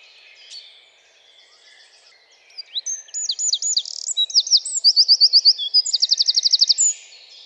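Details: Eurasian wren singing in a garden in France: after quiet background twittering, a loud high-pitched burst of sharp notes runs into rapid, ringing trills, rising in intensity and lasting about four seconds.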